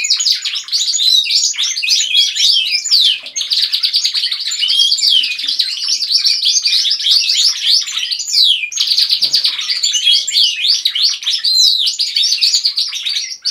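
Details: Group of pet canaries singing together indoors at home: dense, continuous chorus of rapid trills, rolling warbles and sweeping whistles, overlapping voices throughout with hardly a pause.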